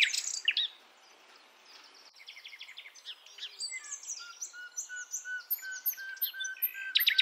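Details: Javan forest nightingale, sikatan londo, a female calling males to lure young birds in the wild. Opening sharp notes, a near-silent gap, then fast high trills over a steady series of low repeated whistles.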